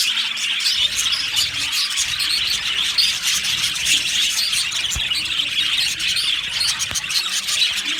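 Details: Aviary colony of happy budgerigars keeping up an unbroken chorus of shrill chirps and short squeaky notes, many birds calling at once.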